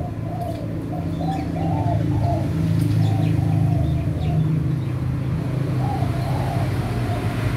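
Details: Captive clear-pied white spotted dove (Spilopelia chinensis) with normal eye colour, one of a breeding pair, gives soft, rounded coos in short runs over a steady low hum.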